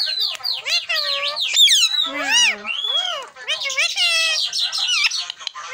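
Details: Tame green parrot talking without pause, word-like arched syllables, a throaty low falling phrase around two seconds, then dense high chatter and rising whistled notes.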